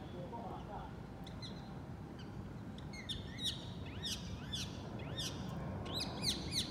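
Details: Green birds singing from a treetop beside a kitchen; repeated bright rising-and-falling whistled notes, several callers, over low background rumble.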